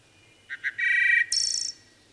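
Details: Wood thrush phrase: two short low notes lead into a sustained rich tone and end in a high shimmering trill, over a faint background hiss.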